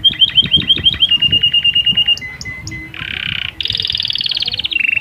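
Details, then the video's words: Canary singing a breeding song to stimulate females, also a master for young birds; repeated slurred whistles give way to a held tone, short high pips, then loud harsh buzzy rolls. "Kenari Gacor cengkok unik Masteran paud pancingan birahi betina/kenari kawin"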